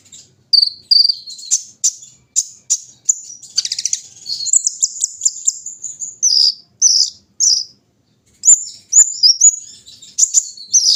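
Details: Brown-throated sunbird aired in the morning dew, giving an extended sequence of rapid high chirps and a dense buzzy trill, a short silence, then more bright twittering phrases.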